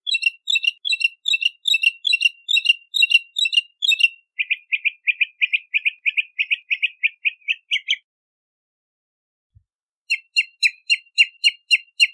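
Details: Bahama mockingbird delivering its song in repeated series: one sharp phrase given eight times, then a run of quicker, lower chirps, then after a silent pause another steady series of crisp notes.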